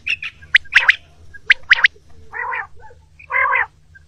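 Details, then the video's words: Common quail (batair) calling in the morning, recorded for quail hunting; sharp, liquid clipped notes in quick pairs and triplets, then two harsher, buzzier lower notes, over a faint low hum. "morning quail sound for hunting | quail triping | batair ki awaz"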